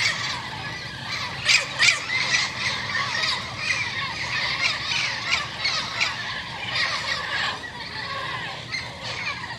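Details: Turquoise-fronted amazons arriving in a garden, the first pair summoning the others of their group; loud grating squawks delivered about three per second in uneven runs, with strong bursts near the start.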